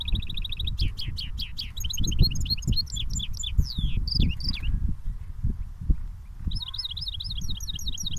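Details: Mule goldfinch singing in a cage, cage to cage: a fast trill opens, then tumbling twittered phrases of downward-sweeping notes, a short pause, and a rhythmic series of looping warbles, over low hum.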